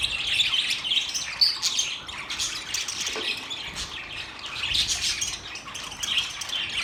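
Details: Budgies chatter continuously with high chirps, squeaky whistles and raspy squawks, the flock's warbling rising and falling in waves.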